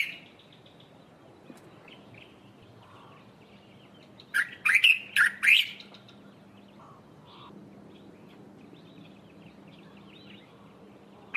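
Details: Dark-capped bulbul calling from a treetop early in the morning: one short burst of four or five loud, chirpy, slurred notes midway, then quiet with a low steady hum and faint distant chirps.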